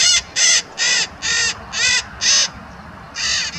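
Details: White-eyed Parakeets on a rural road near a highway in the morning, noisy birds: seven harsh, grating, raspy screeches at roughly half-second intervals, with faint background hiss.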